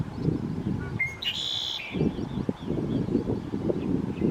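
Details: Red-winged blackbird, a loud bird common in America: a couple of short clear introductory notes, then a buzzy, ringing trill held for about half a second, given once over steady low rumbling background noise.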